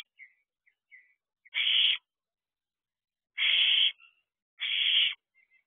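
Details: Wild barn owlet in a nest box at 4:01 am, 6/7/23, balancing on one leg; three loud harsh hissing screeches, each about half a second long, separated by quieter thin chirps.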